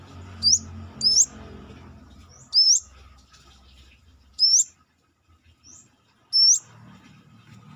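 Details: Brown-throated sunbird singing outside its cage, its unique voice suited to tutoring cage birds: five high, hooked, upward-sweeping whistles at uneven intervals over a low rumbling background.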